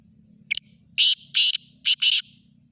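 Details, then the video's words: A kala teeter, or black francolin, calls: two short clipped notes, then a grating phrase of four rasping bursts, the last pair closely spaced, against a soft low hum. "kala teeter ki awaz"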